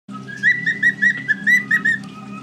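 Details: A male pet cockatiel from Norway, watching other cockatiels, gives a rapid run of short, bright whistled notes over a steady low hum.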